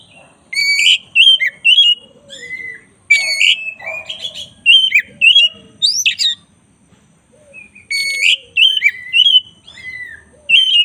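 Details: Black-breasted Oriental magpie-robin, a master-training recording for songbirds: loud, varied bursts of clear whistles, sharp chirps and quick slurred notes, mostly high-pitched, broken by short pauses, with a few lower warbled phrases and a quiet background.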